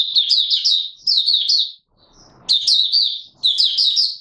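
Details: Oriental white-eye singing openly, 24 March 2022: three crisp phrases of quick, high, slurred chirps, each about half a second to a second long, separated by short near-silent pauses.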